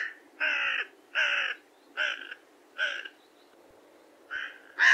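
A carrion crow gives five harsh, hoarse caws, each about half a second long, evenly spaced roughly one second apart, with a quiet background.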